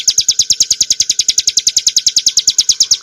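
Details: Hill prinia (named in the source as Ciblek Gunung, Prinia familiaris montana) sings a fast, even string of high, sharp chips, about eight a second, over a faint steady hum.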